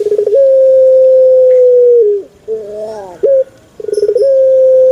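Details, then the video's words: Repeated cooing by a male Barbary dove, each call beginning with a quick bubbling roll and stretching into a level, hollow tone nearly two seconds long that drops away, with a wobbling note between calls. "SUARA ASLI BURUNG PUTER JANTAN"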